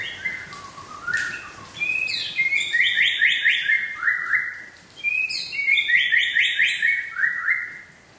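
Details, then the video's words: White-rumped shama of the Aceh type singing two rich whistled phrases, each opening with high notes and running into rapid, stacked, downward-sliding whistles and trills, separated by a brief pause, over a quiet background. "Murai Aceh original"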